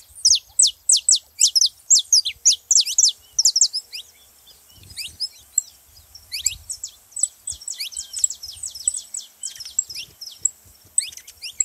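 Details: Saffron finch singing, a recording meant to fire up quiet canaries: a rapid run of loud, sharp down-slurred chirps, then a pause and a second looser series of thinner high notes.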